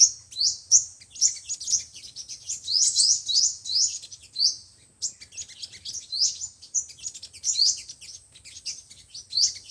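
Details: Sunbird song for speaker playback when trapping, five- and seven-coloured types: piercing, thin upslurred notes and sibilant chips in irregular clusters, sustained high-pitched chatter throughout.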